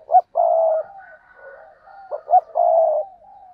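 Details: Spotted dove giving two loud coo phrases: quick double notes, then a drawn-out, even coo. Quieter, wavering cooing from more distant birds fills the gap between phrases.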